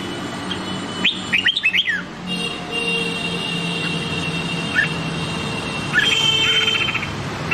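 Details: Red-whiskered bulbul, Nam Đông song style used for training white-cheeked bulbuls: one quick burst of clear, slurred whistles early on, then isolated short notes over a droning background with faint steady tones.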